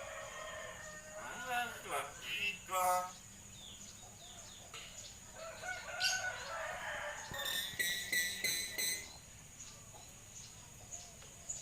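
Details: Common hill myna chattering in human-like fashion: a string of harsh, harmonic, speech-like syllables early on, then a rapid run of bright, clipped notes, over steady background hiss.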